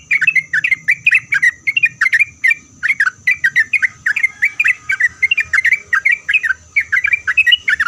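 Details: Sooty-headed bulbul, a loud singer used to make other bulbuls reply, giving a dense run of short liquid chirps that dip and rise, packed closely for eight seconds over a constant high-pitched hum.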